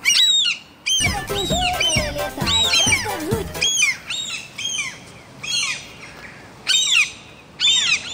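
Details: Gulls nesting on the ventilation pipe of a five-storey apartment block, chicks roaming the roof: loud, repeated, harmonic squawks with arched, falling notes, some lower drawn-out wails in the first half, with a few pauses.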